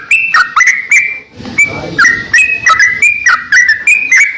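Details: Greater green leafbird singing hard for a masteran recording: bright whistled notes with clicking starts, level or dropping in pitch, broken once by a short rustling noise before the rapid phrases resume.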